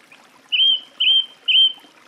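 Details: Song thrush delivering a phrase of three identical clear whistled notes at steady intervals, each about a quarter second long.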